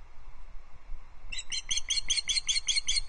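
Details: Osprey alarm calls from a perched female at a Loch Arkaig nest, 5 August 2022, reacting to an intruding osprey: a fast series of about nine shrill, piping notes starting after a second of low background noise.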